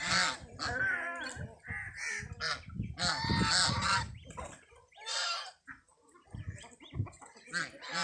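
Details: Geese with their chicks: overlapping nasal, harmonic honks and calls in irregular bursts, some rising and wavering, with busy background noise between the calls.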